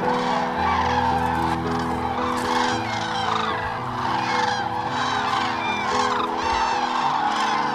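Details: Repeated trumpeting crane calls from dancing common cranes at Hornborgasjön in Västergötland, April 2009, recorded on a Canon XL2 camcorder. Many arched calls pile up in quick succession while music plays steadily underneath.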